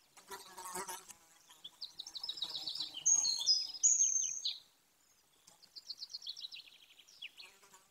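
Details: Golden eagle at a remote, wild nest in Bucovina, Romania, where a pair raises its chick: thin, high, rapid chirping notes in quick descending runs of several seconds, with brief rustling and knocking at the start.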